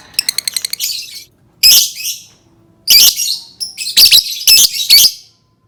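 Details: To coax other lovebirds into song, a lovebird gives a quick series of ticking notes and then long raspy chattering phrases. Piercing squeals and shrill, buzzy bursts are separated by short gaps.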